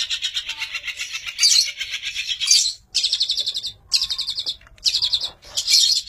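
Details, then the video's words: Long-tailed shrike master bird chirping in bursts of fast, buzzy trilled chatter, high and rattling. The bursts are broken by brief pauses. "MASTER BIRD CHIRPING THE LONG TAILED SHRIKE FULL 30 MINUTES FIGHTER"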